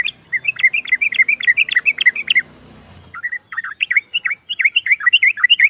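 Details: Yellow-vented bulbul lure song for timid birds: a quick string of chirpy, warbling notes, a brief pause, then another fast series of rising and falling whistles, with faint low rumble early on.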